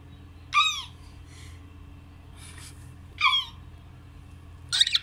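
A cockatiel gives short, shrill, harmonic chirps that dip and rise, spaced a few seconds apart indoors.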